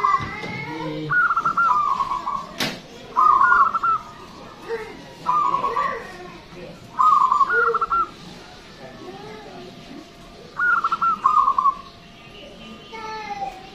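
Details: Loud, long-voiced local Zebra dove song meant to attract other birds: stuttering cooing phrases repeated roughly every two seconds, five in all, with one sharp click early on.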